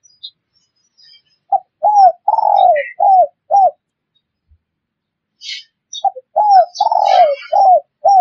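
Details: Two bouts of spotted dove cooing, played to lure wild birds: each bout has a few short coos, a long sliding note, then more clipped coos. Soft twittering from other birds falls between the bouts.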